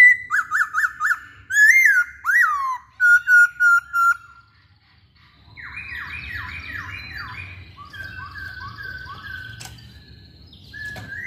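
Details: Masked laughingthrush singing vigorously: a fast run of loud, clear, downslurred whistled notes, then a few rising and falling whistles, followed by a quieter burst of repeated buzzy notes and soft whistles over low background rumble.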